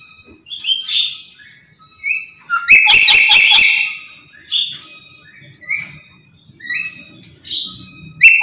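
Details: Black-capped lory screaming nonstop: clipped nasal squawks repeated at a fast, uneven pace, broken by a loud stuttering burst of rapid harsh pulses midway.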